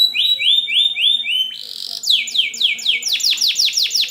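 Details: Canary singing for young canaries learning to sing: a row of rising slurred whistles, a short buzzy note, then loud, sharply falling sweeps repeated several times per second.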